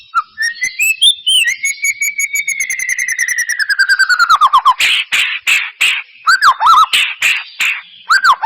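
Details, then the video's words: Singing white-rumped shama used to draw a quiet bird into song: a long series of rapid clicking notes over a slowly falling whistle, then harsh buzzy bursts and looping whistled phrases. "Pancingan murai batu mancet bunyi ‼️ pancingan murai batu males bunyi‼️respon cepat"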